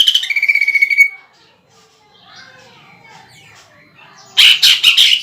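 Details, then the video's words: Greater green leafbird kept for song contests, singing a rough 'nembak' song filled with woodpecker-style phrases. It opens with a second of loud, harsh, buzzy rapid notes, falls to faint twitters, then ends with strong rasping bursts. "PANCINGAN CUCAK IJO GACOR NEMBAK ISIAN PELATUK BAWANG"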